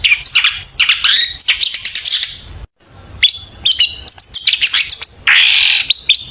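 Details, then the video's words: Long-tailed shrike singing, used as a lure to get birds to sing: dense chattering and whistled phrases, a short silence, then high clear whistles and a harsh buzzy burst near the end. "PANCINGAN CENDET AGAR BUNYI"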